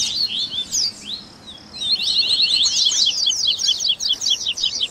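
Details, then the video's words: A Double-collared seedeater (coleiro) in a "baderna" training recording mixing song variations, meant to warm up and train captive coleiros: a high, rapid twittering of sharp chirps and buzzy slurred notes building into a dense, fast run over faint background hiss. "ESQUENTE SEU COLEIRO Áudio de Baderna"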